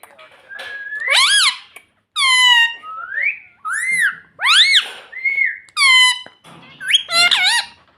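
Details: A talking pet ring-necked parrot indoors mixes shrill "mummy" syllables with whistled rising notes, about one phrase each second.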